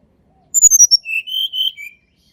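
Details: Wild Sunda robin singing, recorded for luring quiet birds: a few piercing high whistles slide downward, then several steady mid-pitched whistles end the phrase on a lower note.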